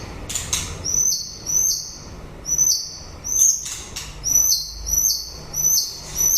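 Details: White-rumped shama in end-of-breeding-season song: high, sharp downslurred notes repeated in pairs and runs roughly every half second, each ending in a short level tail, with a few harsh noisy notes at the start.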